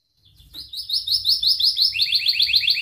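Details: Canary singing energetically as a lure for young canaries learning sounds: a bright, fast rolling trill of short warbled notes that builds in volume, briefly dips lower, then continues.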